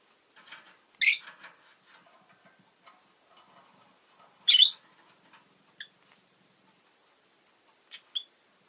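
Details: Rosy-faced lovebird kept as a pet, with city noise in the recording: two loud, harsh, shrill chirps about three seconds apart, amid softer scattered ticking chirps and a few brief high notes near the end.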